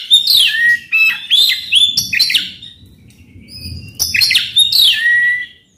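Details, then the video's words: Oriental magpie-robin in full song with coarse mimicked fill, meant to provoke a silent magpie-robin to sing. Two bursts of quick, varied whistles and scratchy notes, each ending in a falling slurred whistle, separated by a short quiet gap. "Kacer gacor bongkar isian kasar PANCINGAN KACER AGAR NGEPLONG"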